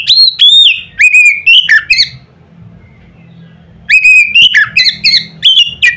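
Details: Loud Oriental magpie-robin song meant to goad other magpie-robins. Two bursts of rapid, bright whistled phrases mixing upslurs and downslurs are split by a pause of about one and a half seconds, with soft hum underneath.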